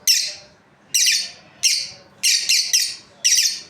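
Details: Shrill, rasping chirps from a breeding pair of lovebirds, seven sharp notes in close succession, some nearly doubled, against soft low background noise.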